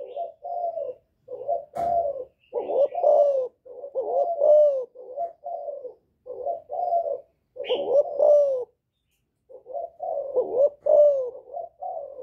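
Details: Repeated cooing of a spotted dove calling to provoke rival males, "giọng thổ" style: many low, mellow coos in phrases with stressed falling notes, a click near the start and a brief high chirp.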